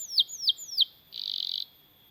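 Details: Canary song intended for training other canaries: three sweeping downslurred whistles followed by a brief rapid buzzy trill, then quiet.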